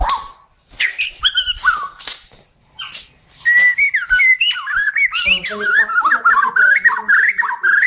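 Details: Kalimantan (Borneo) white-rumped shama singing, a recording for training pet birds: scattered sharp clicks and short whistles at first, then a long continuous warbling run of varied, wavering whistled notes.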